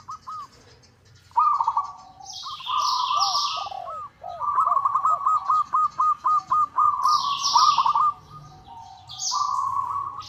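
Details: Local zebra dove (perkutut) calling to a rival, used as a lure, gives soft, mid-pitched cooing notes that run into a quick staccato series of about a dozen beats, with higher chirps from other small birds over it.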